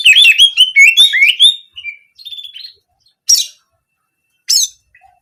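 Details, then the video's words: Oriental magpie-robin in canary-like 'nembak' song, aimed at encouraging birds to sing for daily and contest use: a fast run of high warbled whistles, softer trailing notes, then two isolated harsh chips. "Terapi Burung Kacer Agar Buka Paruh Gacor Harian Maupun Lomba Suara Nembak Kenari"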